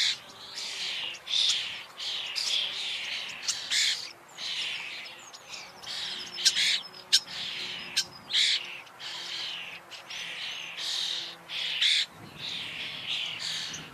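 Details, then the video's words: A common starling gives a busy, chattering run of whistles, clicks and harsh grating notes in short bursts, almost without pause. "Sığırcık kuşu / Starling bird / Sturnus Vulgaris"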